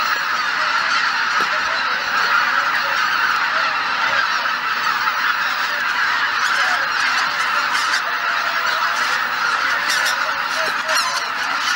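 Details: Geese massed on Izunuma marsh at Shishibana, Japan, on an overcast early morning. Constant layered honking from a big flock, with a few louder nearby calls rising above the dense background clamour.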